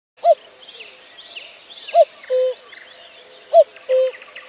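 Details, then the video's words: A cuckoo calls a mellow, falling two-note 'cu-coo' about every one and a half seconds, while other small birds twitter softly in the background. "The Sound of a Cuckoo"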